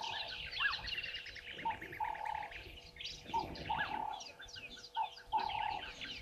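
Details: Red-billed buffalo weavers at Gowrie dam waterhole, Djuma Game Reserve, Sabi Sand, South Africa, at 10:00 on 11/04/2023, chatter with dense high chirps and twitters over short, nasal, buzzy notes repeated about every second.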